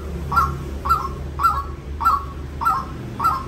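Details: Six evenly spaced, rasping notes from a white-breasted waterhen, each with a clipped upward start and a short falling tail, against a low background hum.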